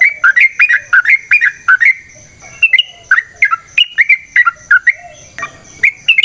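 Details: Yellow-vented bulbul singing a varied ropel song meant to coax other bulbuls into song: short bubbly whistled phrases that rise and fall, given in quick succession with crisp, separate notes.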